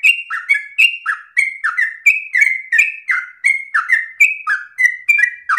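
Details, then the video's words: Yellow-vented bulbul in loud, insistent, long-breathed song offered as a model for other bulbuls to copy: rapid run of slurred, bubbly two-note phrases, each dropping in pitch, repeated about three times a second without pause. "Trucukan gacor ropel ngotot nafas panjang ini cengkok paling gampang ditiru trucuk bahan"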